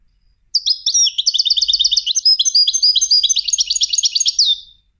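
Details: European goldfinch trained for song competitions pours out a continuous four-second run of varied twittering, buzzy trills and tinkling notes, ending in a falling slurred note; a clean recording with no other sounds.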